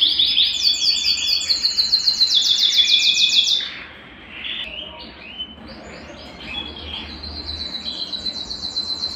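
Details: Belgian canary singing to warm up a cold canary: a rapid bright trill for several seconds, a quieter pause with scattered notes, then a soft fast trill resuming.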